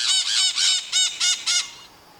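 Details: Maritaca parrot screams in Brazil, given to keep contact, warn of danger and mark presence: six harsh, grating squawks in quick succession, the first three run together, then a brief pause before three more, fading to quiet.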